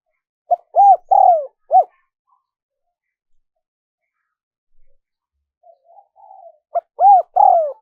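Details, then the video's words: Spotted dove cooing, a recording played to lure wild doves. Two phrases several seconds apart, each a short note, a rounded coo, a longer falling coo and a final rounded coo, low and mellow. Soft faint murmurs lie between the phrases; otherwise quiet. "Tiếng chim cu gáy mp3 dùng kích bổi hiệu quả nhất"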